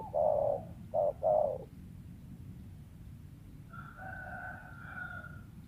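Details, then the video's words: Low cooing from a wild spotted dove: three mellow notes, one longer, then a short one and a longer one, followed by other birds' higher, steady whistled notes over soft background noise. "TEKUKUR LIAR SUARA IDAMAN PEMIKAT"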